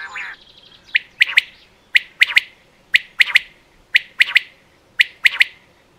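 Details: Common quail uttering a clean, regular series of sharp three-note calls, each a short note then a fast pair, repeated about once per second, with a brief raspy chirp at the beginning.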